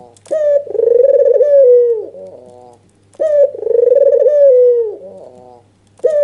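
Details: Emotional nodding call of a red-eyed white (albino) dove, used as a lure for doves that will not call: two long throbbing coos that fall at the end, each followed by soft short notes, over a low hum.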